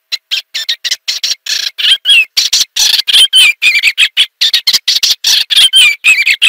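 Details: Eastern olivaceous warbler singing a fast, scratchy, warbling stream of clipped notes with occasional slurred whistles, continuous and busy throughout, clear with no background noise.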